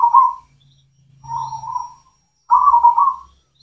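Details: Local zebra dove, cemani form, singing as a lure for mute doves: three trilled coos at steady pitch, the middle one softer, over a low humming background.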